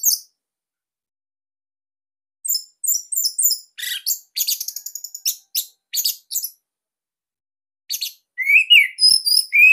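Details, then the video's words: Orange-headed thrush (Bali type) with a unique, dense, loud song used for training captive birds: after a quiet opening, quick high chips and a rattling trill, then lower, rising whistles near the end. "Kicauan ANIS MERAH Ini Cocok Buat Masteran Burung Sahabat Dirumah."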